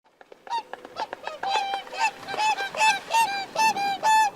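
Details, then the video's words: Swan giving a rising series of nasal, trumpeting honks with rich harmonics, starting as soft scattered notes and building into loud, evenly spaced calls about every third of a second. "¡Escucha el canto del CISNE!"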